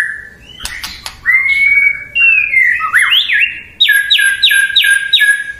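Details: Murai batu, the white-rumped shama, in a provoking song meant to make rivals answer: long pure whistles and sliding notes, then four loud, rich doubled notes repeated evenly.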